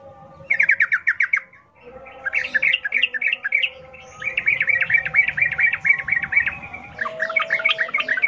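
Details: Sooty-headed bulbul song in wild 'ngalas ropel' manner, used to coax captive bulbuls into song: long rapid chattering runs of bright bubbly notes, nearly continuous, with a steady low hum behind.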